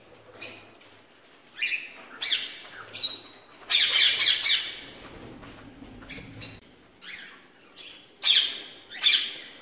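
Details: Rose-ringed parakeets (ringnecks) in a breeding setup with mixed birds give harsh, screechy squawks in irregular bursts, several overlapping, with a faint low hum beneath.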